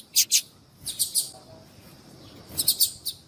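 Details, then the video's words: Female yellow-bellied seedeater, a captive bird, calling to stir males into song: scattered groups of two to four high, sharp chips separated by pauses, above a low background murmur. "fêmea de papa capim chamando"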